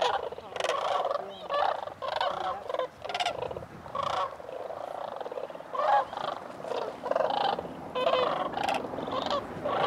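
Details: A dense chorus of cranes at Bosque del Apache, with loud rattling, trumpeting calls overlapping almost continuously from many birds and hardly a pause between bursts.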